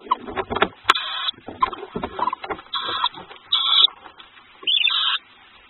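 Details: Two-week-old adopted tawny owl chicks calling at night as their foster mother returns with food: harsh, hissing wheezes, four half-second bursts between soft rustles and scratches.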